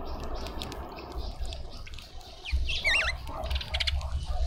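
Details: Cape white-eye visiting a garden feeder in suburban Pretoria, South Africa: one clear, wavy whistled note rising and falling twice, with faint scattered chirps and ticks around it and a continuous low-pitched hum.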